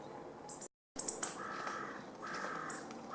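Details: Middle spotted woodpecker (Dendrocopos medius) at Bundek, Zagreb, Croatia, on 29 December 2014, giving two drawn-out, nasal, quacking calls of about half a second each, with thin high notes from other small birds in the background.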